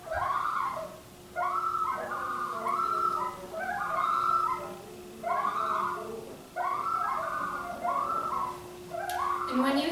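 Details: Common Loon tremolo, used as a distress or alarm call on the water or to announce itself in flight: quavering, laughter-like bursts of rapidly wavering notes, about seven in ten seconds, over a steady low electrical hum.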